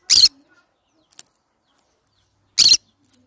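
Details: Two brief, grating screeches from a green-cheeked conure, about two and a half seconds apart, in an otherwise quiet setting.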